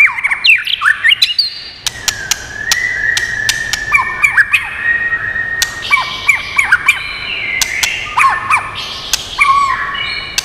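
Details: White-rumped shama singing in many voices, used to stimulate and train other shamas: varied loud whistled phrases, rising and falling slurs and long steady notes, broken by sharp dry clicks scattered through the passage.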